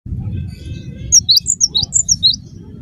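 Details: Cinereous tit in full song, used as a lure to make other tits answer: a quick run of high, sharp two-note whistles, each dropping then rising, about eight notes in just over a second, over low background rumble.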